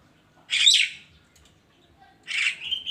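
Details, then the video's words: Javan myna in the morning giving two loud, harsh, buzzy squawks about two seconds apart, the second ending in a short level whistle. "kicauan burung kerak di pagi hari"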